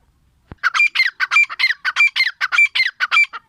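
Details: Close grey francolin, the teetar, in a brisk run of harsh, ringing squawked notes in quick regular pairs, loud and clean against a silent background.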